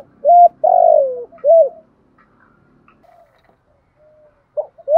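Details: Decoy spotted dove of the thổ sấm voice style, calling to attract wild doves. One loud phrase of a short hoot, a long sliding coo and a closing hoot, then quiet with faint notes and the start of another coo.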